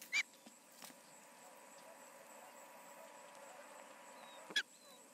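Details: Osprey at the Charlo nest on the evening of 20 August 2019, around 7 pm MDT: two brief, sharp whistled chirps about four seconds apart over a steady background hiss.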